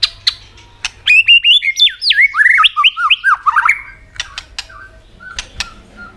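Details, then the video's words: White-rumped shama song meant to provoke other birds into singing, with tạch clicks: a few clicks, then a tumbling series of looping whistled notes stepping downward, trailing off into scattered clicks and soft single notes. "kích chòe lửa hót cực sung.chòe lửa hót tạch liên tục kích thích chim ức chế"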